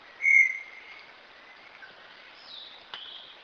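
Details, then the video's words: Brown Tinamou (Inhambu Guaçu) song: one loud, pure, level whistle at the start, then fainter trailing whistled notes over a quiet, steady background hiss. "Canto número 3, Inhambu Guaçu. Canto"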